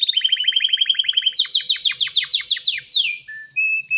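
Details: Male canary singing to attract a female and prompt mating: a fast even trill of short notes, then louder descending swept notes repeated about six per second, ending in brief high whistles.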